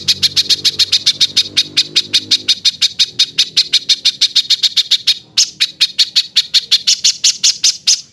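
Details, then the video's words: Cage-bird tutoring compilation of coarse 'tembakan kasar' bursts: a long run of fast, scratchy, high-pitched pulses, about five per second, briefly breaking near the middle before resuming, with faint low droning early on. "Tembakan Kasar Masteran Kompilasi Mewah Untuk Semua Jenis Burung Cucak ijo, Murai batu"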